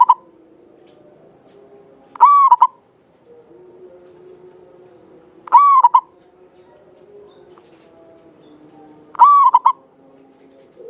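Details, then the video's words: Javanese local zebra dove singing steadily, with a long, clear voice kept as a lure bird. Three repeated phrases come roughly every three and a half seconds: a drawn-out cooing tone followed by a pair of brief notes, over quiet background. "Perkutut lokal jawa gacor buat pancingan suara panjang bening"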